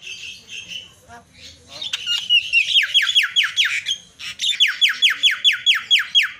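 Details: Javan myna (jalak kebo) in lively song meant to provoke other mynas: harsh scratchy notes, then a fast series of sharp downslurred whistles repeated about twice per second in two bursts.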